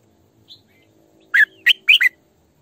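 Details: A female red-whiskered bulbul decoy gives a faint high note, then a loud three-part phrase of burry chirps and slurred whistles, with a low hum underneath.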